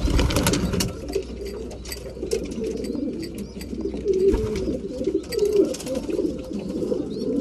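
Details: Breeding pigeons at mealtime, several birds giving low, throaty cooing murmurs that overlap continuously, with clicks and shuffling sounds of feeding throughout.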